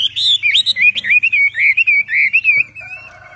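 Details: Javan pied starling song in a bird-training recording: loud, continuous run of whistled, slurred notes sliding up and down, rapid and varied, ending in softer warbling.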